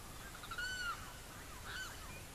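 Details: Two arched, hoarse call notes of a Savanna hawk recorded in Barinas, Venezuela, the first louder and longer and the second softer, above a constant background hiss.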